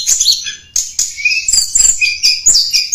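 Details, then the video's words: High-pitched twittering song of a Blood-breasted Flowerpecker, recorded as a lure for wild birds: dense quick chips and thin whistled slurs tumbling in irregular bursts over three seconds. "Suara Pikat Tledekan Gunung"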